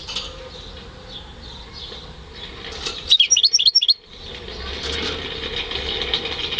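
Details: Homebred European goldfinch × canary hybrid male singing, recorded in May 2015: a brief burst of bright, twittering notes in the middle of the recording over a steady background hiss, with fluttering and faint noise around it.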